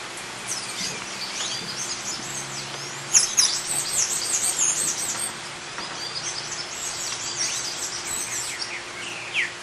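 A White-chested Emerald gives thin, very high chips and twittering notes in irregular bursts, with a faint low steady hum underneath.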